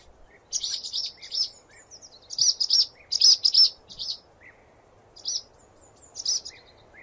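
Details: Swallow singing a series of rapid high twitters and chirped phrases in uneven bursts, some notes doubled, with quiet gaps between groups.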